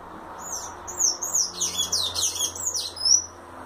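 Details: Sayaca tanager singing in the violino style: a dense, continuous stream of high squeaky twittering notes with quick slurred inflections lasting about three seconds, ending on a thin drawn-out high note, with faint low hum underneath.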